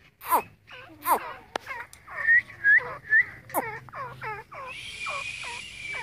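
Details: Grey francolin, locally called teetar, calling: a lively series of loud, clear hooked whistles, each note rising then dropping, given about twice a second, with a steady hiss joining toward the end.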